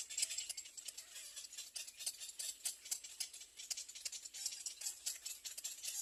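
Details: Little egret (Egretta garzetta) chicks in a nest scream for food with harsh, rasping, rattly begging calls in quick overlapping bursts, several per second, with no other clear sounds.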